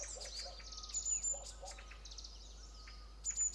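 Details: Parent green-backed tits at a tree nest-hole being raided by a yellow-throated marten, flying back and forth; short high chirps and thin whistles repeated in clusters over steady ambient noise.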